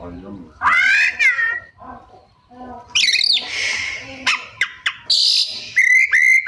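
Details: Oriental magpie-robin singing hard with mimicked material: a harsh harmonic squawk-like phrase, then twisting whistled notes, scratchy buzzes and sharp clicks, finishing with clear level whistles.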